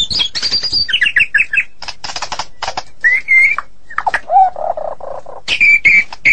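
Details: Varied song of a Medan white-rumped shama: a high whistle, choppy harsh notes, a short run of slurred whistles, then a low repeated warbling phrase and more bright whistles.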